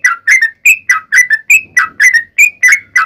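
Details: Sooty-headed bulbul, locally trucukan, delivering a long 'ropel' fighting song used to draw replies from other birds; rich warbled whistles, alternately rising and falling, about a dozen notes in quick succession.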